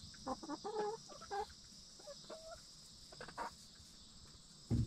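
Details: Hens settling in a backyard coop at night just before roosting. Short murmured clucks come in clusters, with a few longer drawn-out notes between them. A constant shrill insect chorus runs behind, and a dull thump sounds at the close.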